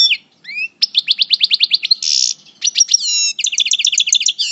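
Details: Moulting parva goldfinch from El Bordj singing in coupleur style: a rapid run of about ten crisp repeated notes, a short buzzy burst, then slurred twitters and a fast trilled series, with no other sounds.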